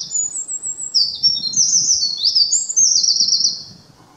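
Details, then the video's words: Eurasian wren singing on 10 May 2019: a loud, rapid, high-pitched song of fast trills and sweeping twittering notes, delivered in one continuous burst of about three seconds, with faint low rustling beneath. "ミソサザイ misosazai"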